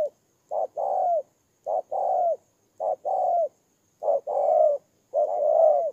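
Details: Ground decoy spotted dove, Tumorong, Kon Tum, Vietnam, 23 September 2018: five evenly spaced two-note coos, each a short hoot then a longer falling coo, in a quiet setting.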